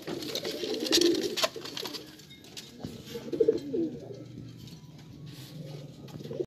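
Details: Jacobin, a fancy domestic pigeon breed, uttering short low gurgling coos around the first and third seconds, separated by quieter stretches with scattered knocks and clicks.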